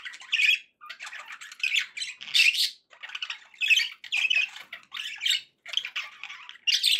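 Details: Budgerigars kept as pets give a continuous scratchy warble, a run of short squawky syllables grouped into phrases about half a second long.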